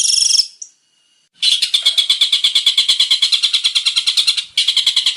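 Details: Long-tailed shrike, a male in varied song: a shrill squeaky note, a short silence, then a long, fast run of harsh, evenly spaced chattering notes.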